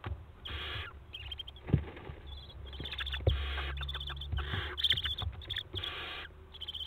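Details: Six young barn owls in a nest box at Théding, France, on 3 July 2023, jumping, staring and flapping their wings: repeated harsh, breathy hissing bursts about half a second long, over dull thumps and scrabbling in the box.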